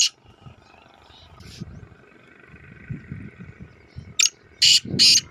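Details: Calling black francolin near a main road, giving a short series of three rasping, grating notes, the last two longer and louder, after quiet seconds of low rumble and distant bird chirps.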